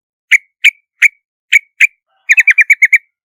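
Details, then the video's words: Yellow-vented bulbul lure recording: five separate sharp chirps followed by a tight run of seven quick notes, each clear and bright against silence. "Tiếng chim Hoành hoạch trắng mồi chuẩn mp3 | Yellow-vented Bulbul"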